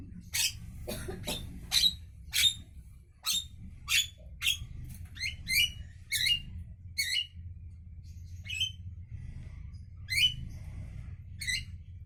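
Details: Javan myna's morning song: a lively string of short, harsh, buzzy notes, quick at first and then sparser, with a few metallic squeaks, over a constant low rumble.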